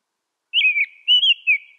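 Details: Three slurred whistled phrases from an American robin, each dropping in pitch, the first and last longer, delivered cleanly with no other sounds.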